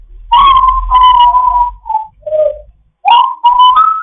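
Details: Grey parrot in foster care, chatting in the morning: long, steady, flute-like whistled tones, one dipping lower and then a rising slur, close and loud.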